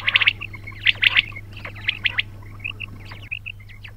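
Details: Several quails give quick high chirps and short squawky notes, dense at first and then thinning to scattered single calls, with a constant low hum behind.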